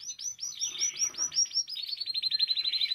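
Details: Canary singing to encourage other canaries: a dense run of looping whistled syllables blending into a fast, evenly pulsed trill that rises slightly then levels off.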